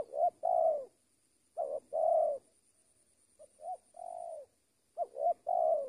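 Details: Spotted dove used as a trained decoy bird, giving low hollow coos: short clipped notes leading into a longer drawn-out coo, phrases repeated about every two seconds with brief pauses, a faint steady high whine behind.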